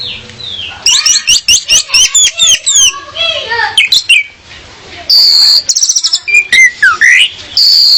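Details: Female orange-headed thrush song used as a lure to make males sing more; loud, varied rapid whistles and trills, bursts of sharp chirps and a long, high, sustained whistled phrase, bright and very close.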